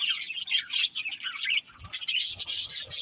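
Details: Budgies chirp in a lively jumble of sharp, high notes, pausing briefly before a second burst of shrill, squeaky chattering.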